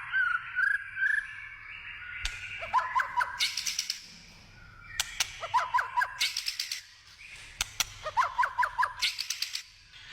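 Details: Wild white-rumped shama in forest delivering rich song phrases: wavering whistles, bursts of fast trilled notes and harsh buzzy sections, repeating in several similar phrases with sharp clicks between.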